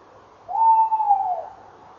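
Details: Evening at a Tawny owl nest box, 19:22 on 28 November 2013, as a pair gathers and the male enters the box. One long, smooth hoot, steady then gently dropping in pitch, about one second long, against a quiet background.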